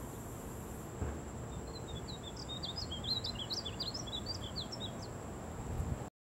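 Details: A painted bunting sings on 18 July 2023: a high, rapid, sweet warble of varied jumbled notes lasting about three seconds, over a steady low rumble of background noise.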